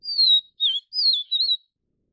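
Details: Vivid niltava, Taiwan subspecies vivida, while feeding chicks: four clear high whistled notes, the first long and slightly falling, then a short wavering one, a long falling whistle and a final warbled note, in quiet surroundings.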